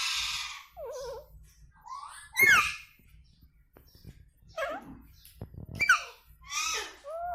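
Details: Indian ringneck parrot mimicking speech in a small room: wavering warbled syllables, sharp squeaky notes and falling glides scattered over several seconds, with pauses between.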